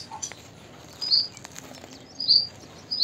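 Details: Juvenile purple sunbird in eclipse plumage calling: short, very high, sharp chip notes, three in about three seconds, against faint background rustle.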